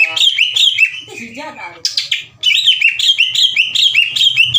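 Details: Greater green leafbird kept as a songbird, singing aggressively with ngeplong phrases and rough tembakan shots. Quick chains of bright descending whistles, a lower warbled passage midway, then fast repeated notes about two or three per second.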